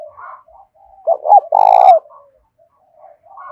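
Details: A decoy spotted dove calls in the Hạp Bổi voice style to attract wild doves. Quiet low cooing leads into two sharp hooked notes, then a loud sustained coo of nearly half a second. Soft coos follow.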